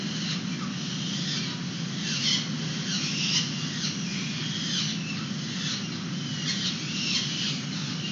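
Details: Wild peregrines on a San Francisco ledge camera, 29 April 2021, with adults feeding the young outside their nest box. Thin, harsh squawks and squeals repeat every second or so above a constant low hum.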